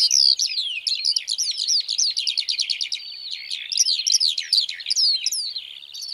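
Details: A continuous high, rapid outpouring of song from a Eurasian skylark, packed with quick trilled chirps and slurred notes, sliding into a stretch of fast repeated clicking elements midway, then more excited warbling.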